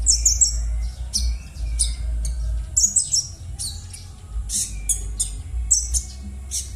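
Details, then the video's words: Konin bird's harsh rough call, a lure for konin that have gone silent; rapid, high, scratchy notes and descending slurs repeated about three times a second in uneven bursts over a low hum. "suara kasaran burung konin#cocok_untuk_pancingan_konin_macet_bunyi"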